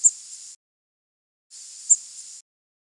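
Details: A Prairie Warbler flight call of migrating birds: two thin, very high, nearly level whistled notes, each rising slightly in the middle and trailing off softly rather than ending abruptly; the second is drawn out longer.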